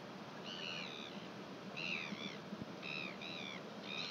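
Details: Northern royal albatross in New Zealand, recorded 1 June 2021: a series of short, harmonic, slightly downslurred calls, each about half a second long and given in clustered pairs, over steady broadband background hiss, possibly wind or sea.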